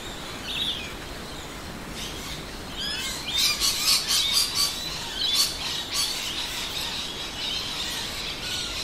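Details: Rainbow lorikeets and noisy miners in suburban Adelaide, South Australia, at midday in winter: a few high calls, then a burst of rapid piercing screeches and chatter that fades back to a constant low background rumble.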